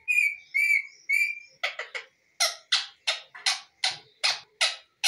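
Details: Indian Ringneck parakeet, a pet bird, giving three clear whistled notes, then a string of about ten harsh, scratchy squawked syllables repeated quickly and evenly, indoors with no other sounds.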